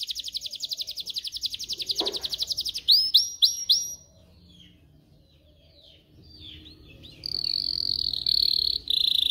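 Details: Canary singing for song training: a fast pulsed roll, then sharp rising whistled notes repeated several times, a quiet pause, and a loud buzzy roll with chipping notes.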